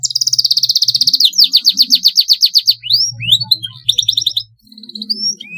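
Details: Canary in full, long song used as a master to lure and train other canaries: fast rolled trills of high repeated notes, then rising whistled sweeps and a second rapid roll, with a faint low hum beneath.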